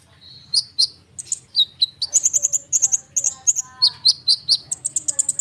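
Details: Lively konin bird song meant to provoke other birds into calling: high whistled notes, then fast series of bright, evenly repeated chirps about four per second, steady and dense, with faint low hum beneath.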